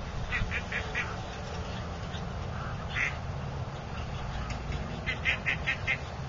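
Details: Quacking pet duck, companion of a mottled drake: a few short nasal quacks at the start, one isolated quack midway, then a quick burst of four or five quacks near the end, with a steady low hum throughout.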